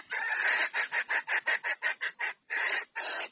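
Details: A red junglefowl hen calls the male to come and mate, giving loud, raspy, evenly spaced clucks in a fast series, some notes drawn out longer than others, with no other sounds.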